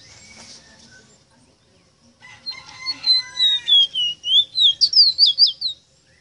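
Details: Ruddy-breasted seedeater singing a tutor song meant to teach pet birds to sing: after a quiet start, a run of clear whistled notes slides gradually lower, then ends in quick, sharply rising and falling twangy notes.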